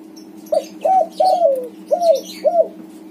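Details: White backspot spotted dove calling steadily, a lure for doves gone quiet: five mellow coos in one phrase, the third drawn out with a downward slide, with scattered faint high chirps and a low continuous hum.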